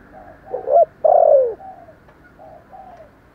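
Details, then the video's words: Spotted dove calling in a short burst: a stuttered low note, one strong long falling coo, then quieter trailing coo notes. "Thổ Sấm gáy gọi, thúc gù rất sung"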